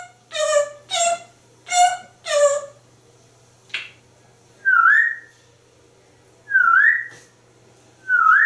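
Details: African Grey Parrot, a very talkative male kept indoors, chattering about corn and dinner: four harmonic speech-like syllables, then three rising whistled notes about two seconds apart, in a quiet room.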